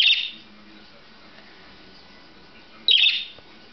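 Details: A male pet budgerigar gives two short, bright, scratchy chirps a few seconds apart.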